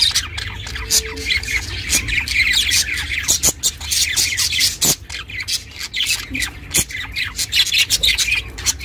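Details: Budgie kept as a pet chirps and chatters, recorded to keep lone budgies company: bright high chirps interspersed with sharp clicking ticks, pauses between brief bursts, low hum behind.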